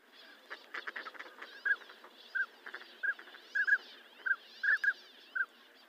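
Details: Northern pintail calling: short, clear, mid-pitched whistled notes, some doubled, come about every half second over six seconds. Behind them is a dense background of raspy, clicking duck chatter from a flock.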